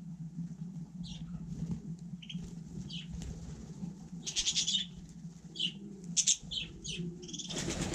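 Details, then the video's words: Budgerigar on snow during a frost, calling in a series of short descending chirps and buzzy notes that grow busier, ending in a burst of rustling noise. "Andulka vlnkovaná 4 - na sněhu v mrazu"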